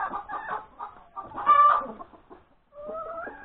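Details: A laying hen's cackle on the morning of January 31, 2021: a few quick clucks, one loud squawk, more scattered clucks, then a drawn wavering note after a short gap.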